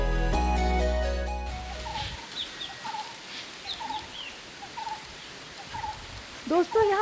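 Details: A barbet, named as a large green barbet and common in the countryside around Kalavantin Fort, Raigad, Maharashtra, gives low, throaty 'kutroo' notes about once a second after music and voice; thin chirps from other birds and a brief rising sound near the end.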